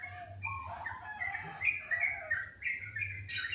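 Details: Birds singing in the morning, sweet-toned: lower warbling notes leading into a run of higher chirped whistles, with a short sharp burst at the end and a faint low hum behind.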